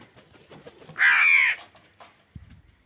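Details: Angry crow competing with wild birds for food; a single loud, harsh, drawn-out caw of about half a second over quiet background chatter.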